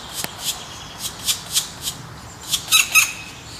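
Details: Black woodpeckers in the wild during the raising of young: short, raspy, high-pitched bursts given every quarter to half second, the last few louder and more crowded together.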